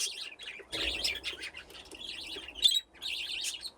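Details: A flock of aviary budgerigars, grown from two pairs and playing around nesting boxes, produce lively chattering warbles in dense bursts with a short pause near the end.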